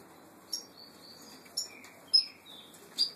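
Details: Saffron finch, known locally as the Peruvian canary, with brown plumage. It makes four short, sharp, high chirps spaced under a second apart, joined by thin whistled slurs, against quiet room background.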